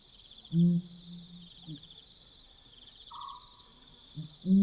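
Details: Pel's fishing owl calling at night in Botswana: a deep, booming low hoot that carries, then another begins at the end, over a steady high insect drone and faint rural night noise.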